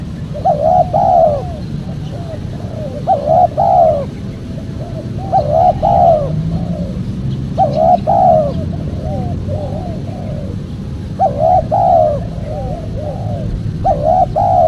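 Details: Spotted dove calling, used as a lure to draw in wild doves: about six repeated phrases roughly every two seconds, each a pair of bright rising-falling coos followed by softer descending notes, with low background rumble.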